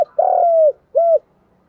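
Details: Fragment of a spotted dove decoy call used to lure doves: a long, level, mellow coo that drops at its end, followed by one shorter rounded coo.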